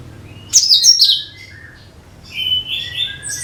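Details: Cucak kinoi bulbul singing, a song used as a lure for every kind of bird: a loud, bright, descending chirpy phrase, a short pause, then a run of softer whistled and twittering notes.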